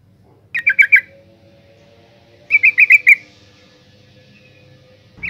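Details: Female yellow-vented bulbul calling to lure males into singing: two short bursts of four quick, bubbly chattering notes, separated by about two seconds of near silence.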